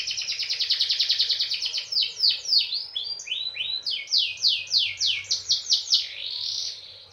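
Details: Canary song meant to coax other canaries into singing: rapid buzzy trill opening into a series of loud, sweeping downslurred notes repeated about three times a second.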